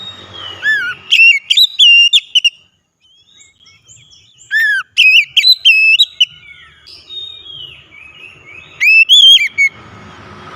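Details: Oriental magpie-robin (kacer) singing, used as a lure to prompt silent birds to sing: loud, clear whistled phrases with rising and falling slurs, delivered in bursts separated by pauses.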